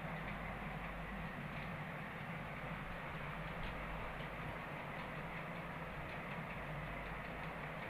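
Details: Continuous clattering rumble with a faint hum throughout, with no distinct animal calls.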